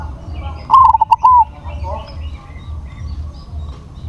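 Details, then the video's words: A single phrase from a crossbred zebra dove with a big voice: rapid, rhythmic short notes run into a longer, slightly falling coo. Soft background murmur follows. "PERKUTUT CROSSING SUARA BESAR"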